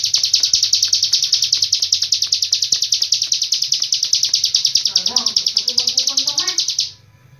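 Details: Hill prinia, locally ciblek gunung, in the long-breath style from Cililin; a continuous high rapid trill of identical pulses for about seven seconds, with faint lower warbling notes near the end.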